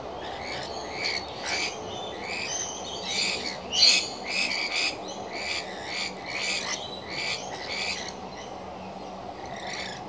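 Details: Rainbow lorikeets feeding together: harsh, screechy bursts repeated almost twice a second, overlapping in a steady chattering stream, with one louder shriek near the middle.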